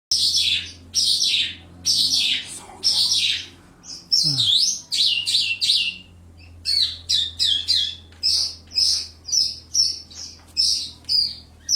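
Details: Caged lark housed in a one-metre-tall cage: bursts of bright, high chirping and twittering phrases, short notes clustered and repeated with brief gaps, over a faint low steady hum indoors.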